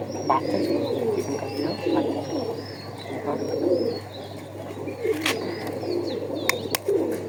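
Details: Pigeons give rounded, pulsing coos in uneven bursts. A string of high, arched whistles from small birds runs behind, and a few loud clicks break in.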